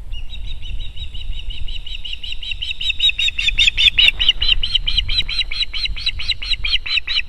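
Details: Female osprey at her nest in Estonia on 18 July 2021, landing and defending it against a strange osprey: a long run of loud, whistled, piping notes repeated about three a second, gaining intensity midway, over steady wind noise.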